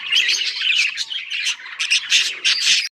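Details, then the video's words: Breeding budgies chatter in a loud, bright, scratchy warble of quick chirps and squawks, pausing twice before the sound cuts off abruptly. "Birds chirping sounds"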